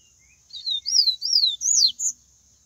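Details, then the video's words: Wild Yellow-bellied Seedeater singing the Bahian-style song: high, clear whistled notes that slur up and down in a quick phrase of about five segments, ending with a short upward whistle. The background is quiet. "papa capim baiano canto selvagem"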